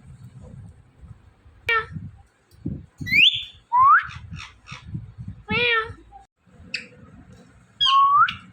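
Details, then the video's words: Indian ringneck parrot kept as a talking pet gives sharp rising whistles, short chattering syllables and a wavering buzzy note, spaced over several seconds with quiet indoor background and faint human speech. "Compilation Of Two Best Talking Parrots"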